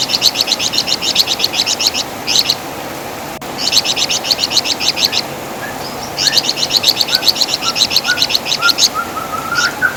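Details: Master song of the Javan fulvetta, known as wergan jawa, for training songbirds: three long bursts of fast high chattering chirps, with soft lower whistles from another bird near the end.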